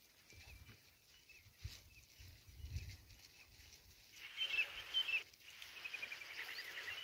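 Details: A grey francolin in the jungle gives loud, shrill, high-pitched calls, faint at first, then stronger repeated bursts in the second half, over a low background rumble.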